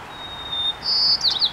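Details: A White-crowned Sparrow sings from a weeping willow on 21 June 2015: a thin, steady whistle, then a higher clear note breaking into quick buzzy, jumbled phrases. Faint background hiss.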